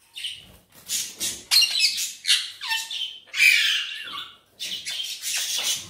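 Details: Green ringneck parakeet, pet bird, in a loud run of raspy, squawky speech-like syllables with one drawn-out falling whistled tone in the middle, continuous and uneven in rhythm, indoors.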